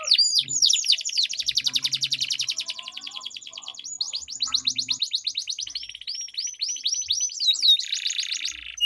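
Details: Canary long rolling song from a singing duel, used as a lure for non-singing canaries: extended rapid trills of fine repeated notes, some buzzy, with scattered sharp slurs and a few low murmurs.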